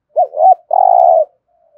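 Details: Single 'thúc gù' phrase from a spotted dove: a quick rising-falling double coo, a brief pause, then one long, even, mellow coo.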